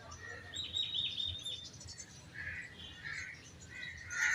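Common myna: a quick run of high, chattery chirps, then several harsher, throaty notes spaced about a second apart over a low outdoor hum.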